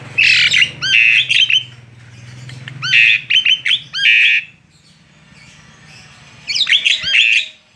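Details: Tame Asian pied starling singing loudly outside its cage: bursts of harsh, squawky notes mixed with short whistles and descending slurs, delivered in clusters separated by pauses, with a low background hum.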